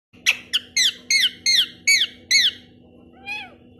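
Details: Pet parrot calling indoors: seven loud, harsh, rasping squawks in quick succession, each short and buzzy, then a pause and one softer, fainter squawk, with a steady low hum behind.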